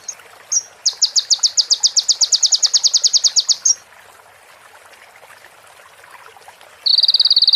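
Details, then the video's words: Sunbird with prenjak and ciblek fill-ins for training other birds: a few rising chips lead into a three-second run of rapid, regular high ticks, then quiet hiss before a buzzy trill begins. "MASTERAN KONIN FULL ISIAN PRENJAK BETINA SAMBUNG CIBLEK BREN JERNIH JEDA ORIGINAL DARI SUARA KONIN"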